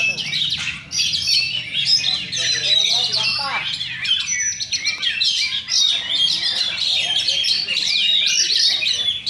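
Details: Oriental magpie-robin in full song: a dense, continuous stream of rich whistles, warbles and quick trills, varied and loud, with hardly a break. Some faint speech can be heard in the background.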